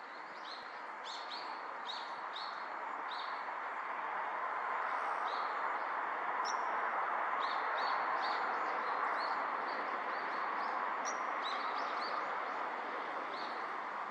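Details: Male Daurian redstart giving short high chirps repeated about four times a second, against a steady broad hiss of background noise.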